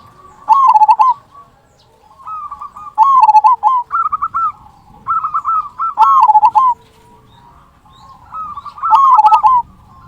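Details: Zebra dove, a local bird singing actively, giving the big "kung" voice meant to provoke quiet doves to sing: bubbling, rolling coos in short bursts, with lower sustained cooing in the gaps.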